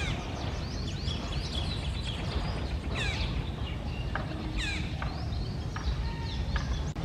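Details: Red-breasted parakeet calling outdoors: a few sharp, downward-sweeping screeches stand out near the middle, over steady low rumbling background noise and thin whistles from other birds.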